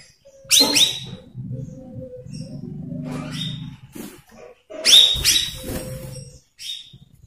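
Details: Cucak rawis, a lure recording for training young untrained birds: two loud bursts of bubbly, whistled notes with sharp rising onsets, separated by a low murmuring rumble and a short quiet gap.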